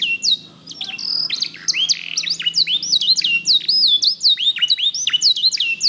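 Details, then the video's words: Mosaic canary of the black-red variety in full song, with a dense flow of looping, upslurred whistles and sweeping notes that hardly pause. "BEAUTIFUL SONG OF BLACKRED MOSAIC CANARY"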